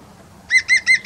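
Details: A European green woodpecker, recorded in 2019, gives four quick ringing notes at about five per second, the start of a laughing series, with nothing else standing out behind it.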